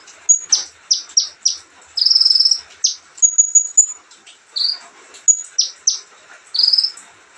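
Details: Olive-backed sunbird singing casually: clusters of sharp falling chips, a sustained buzzy trill near two seconds, thin high whistles, then more chips and a closing buzzy phrase.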